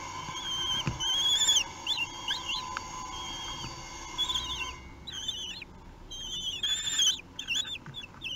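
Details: Common kestrel chicks three weeks old being fed at the nest in Théding, France, 8 June 2021; a few high quavering whistles over a steady hum, then a louder run of wavering, bending squeals toward the end.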